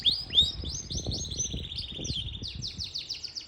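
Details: Yorkshire canary from Parachinar singing fast, high repeated notes that run into a steady rolling trill and then quicker chopped phrases, over faint low background noise.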